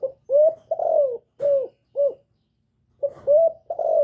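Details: A female spotted dove gives a calling coo meant to stimulate males. Soft, low cooing notes come in short bursts, some rising then falling, with brief pauses; the recording is described as free of background noise.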